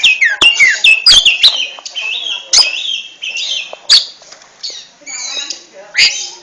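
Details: Ngentrok-style song of an oriental magpie-robin (kacer): short level and wavering whistles alternate with harsh clicks and chattering notes, rapid and uneven, fading to softer trills between louder snaps.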